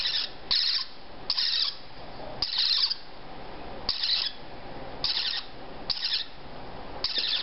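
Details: Baby parrotlet chicks about 3–4 weeks old, all female and starting to eat on their own, give harsh, raspy, hissing begging bursts, repeated about once a second with short pauses between.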